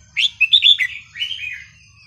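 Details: Red-whiskered bulbul song used to tutor young birds: one quick phrase of bright, slurred whistles, a few sharp rising notes followed by a softer falling warble.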